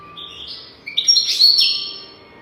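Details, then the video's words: Goldfinch song from a tutoring track for teaching young goldfinches: a short rising run of thin whistled notes that swells into a loud, dense, tinkling twitter, then fades. "تغريد رهيب طائر الحسون حفاضة لتعليم طيور الحسون بدون أخطاء"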